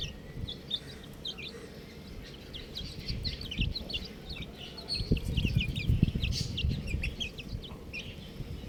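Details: A group of buff chicks gives a fast, dense run of short, high peeps, several per second, while low thumping and rustling noises grow louder in the second half.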